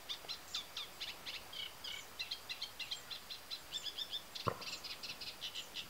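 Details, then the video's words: Eurasian reed warbler in full song at the Tancat de Milia marsh reserve, Sollana, l'Albufera area, spring breeding time: rhythmic churring and chirping phrases, notes doubled and tripled, a single sharp click midway. "Eurasian Reed Warbler | Carricero común cantando en el Tancat de Milia"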